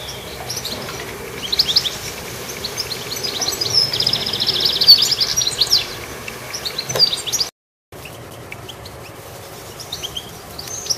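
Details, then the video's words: Goldfinch chirping among steady background noise, with scattered high, thin chirps that cluster into a busier twittering burst midway, then a brief cut to silence before sparse chirps resume. "Goldfinch Activity with beautiful Chirping"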